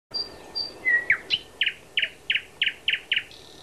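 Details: Thrush nightingale singing at Háj near Turčianske Teplice, Slovakia: thin high whistles, a clear lower whistle, then a series of about seven loud, evenly spaced clicking chock notes roughly every quarter second.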